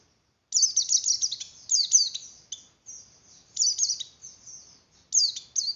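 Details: 'Oper birahi' song of a white-eye (pleci), meant to stimulate breeding in other birds: brief silence, then high, rapid falling chirp phrases alternating with thin, drawn-out whistled notes and short pauses.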